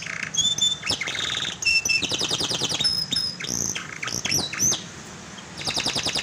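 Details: Canary song played as a lure to get a silent canary singing: rapid buzzy trills, thin high whistled notes and sharp chips that switch phrase every second or so, with brief pauses between bursts.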